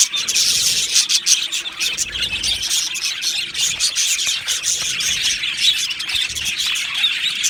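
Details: Two male budgerigars, Australian budgies, keep up constant high-pitched chatter, with quick overlapping tweets and scratchy chirps packed closely together and a faint low hum underneath.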